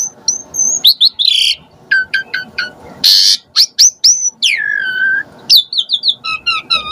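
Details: Asian pied starling (jalak suren) sound for luring starlings; sharp whistled slurs, short repeated notes, a loud harsh burst and a long downward-sliding whistle.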